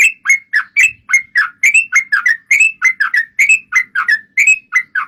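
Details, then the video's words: Yellow-vented bulbul singing energetically, used to prompt other bulbuls to sing: a continuous string of rich, bubbly whistled phrases, each note sliding down then up, repeated briskly without break. "PANCINGAN TRUCUKAN GACOR,BIKIN SUARA PIKAT BURUNG TRUCUKAN KAMU,SEKETIKA RAJIN BUNYI BUKA PARUH..!!!"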